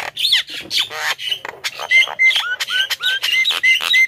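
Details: Javan myna sounds meant to call in wild birds: grating squawks alternating with clear, short whistled notes that dip then level off, repeated several times in quick, uneven succession.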